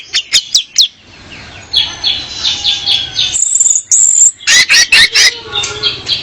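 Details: Female orange-headed thrush song played to draw in a male and coach caged birds; a few sharp clicks open it, then a run of rapid chirps, a drawn-out piercing high whistle, and more loud staccato notes.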